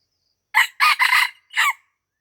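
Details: Wild red junglefowl from Aceh, recorded while being lured near a house in Lamteuba, gives a loud, clear crow of four harsh bursts. The middle two bursts run together, and the last one drops in pitch. The background is otherwise quiet.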